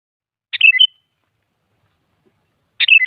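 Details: Sooty-headed bulbul song for luring other bulbuls to answer: two short bubbly whistled phrases, each a quick tumbling run of notes dropping then steadying, separated by two seconds of silence.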